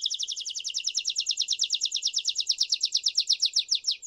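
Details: A Belgian canary sings the "campainha" song, a style used to teach young birds: a fast, steady trill of bright, high notes, about eight per second, running unbroken for several seconds with nothing else audible.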